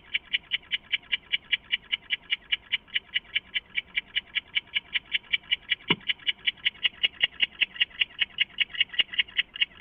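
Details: At 3 AM on 23 August 2014, an owl that has flown into its nest box calls in a rapid, even train of short notes, roughly two and a half each second, with a single faint click midway.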